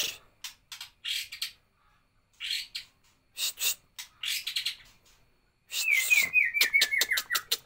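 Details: White-rumped shama, a caged songbird, singing: short harsh scratchy bursts with pauses, then a rapid series of sharp clear downslurred whistled notes repeated quickly.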